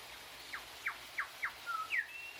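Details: An Australian grey shrike-thrush gives a run of four quick, down-slurred whistled notes, then a longer level whistle and a final rising-falling note, over soft background hiss.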